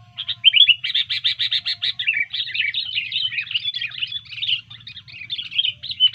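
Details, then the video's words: Disturbed, fight-ready sooty-headed bulbul: a rapid burst of buzzy repeated notes, then a long fast tumbling warble of slurred whistles, over a faint low hum. "Burung kutilang Gacor ketika di usik keluar Fighter Tarung nya"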